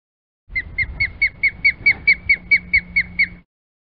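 An osprey gives a run of about a dozen high, clear whistled notes, each with a quick upward flick, repeated a little over twice a second.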